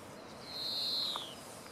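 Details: A European greenfinch, filmed in 2017 while calling and feeding, gives one drawn-out, thin, high note, held steady for almost a second before sliding slightly lower, with soft background hiss only.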